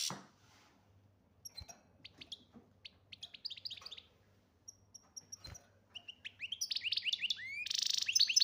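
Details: European goldfinch from Algeria, of the type called major: a short opening burst of sound, then quick high chirps that build into a fast, liquid twittering run of rising notes, growing louder toward the end over a faint low hum.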